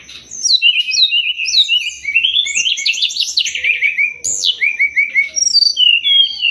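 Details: Sumatran leafbird song meant as a master for training songbirds: descending whistled slurs, dense twittering run, a sharp high whistle, then repeated short chirps and sliding notes.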